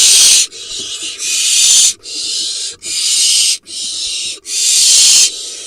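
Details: Harsh, rasping hisses from barn owls inside a nest box in Israel's Hula Valley, 18 July 2021, during a vole delivery by the male; steady breathy bursts of about a second follow one another almost without pause.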